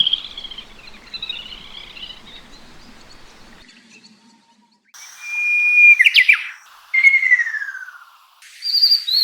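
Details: Little grebe spring-to-early-summer song: loud, shrill whistled notes that slide downward, with rapid trilled bursts, after a few seconds of faint wavering whistles.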